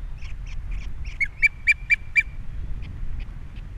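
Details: Osprey at a Captiva nest with three chicks, nest camera, 21 February 2022: soft chirps lead into five loud, sharp whistled notes at an even quick pace, then fainter chirps, with a low wind hum.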